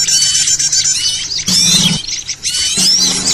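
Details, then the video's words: Trapping lure of small birds: a steady wash of high twittering and thin whistles, broken by two louder bursts of sharp chirps with a brief low hum. "suara ribut pikat burcil"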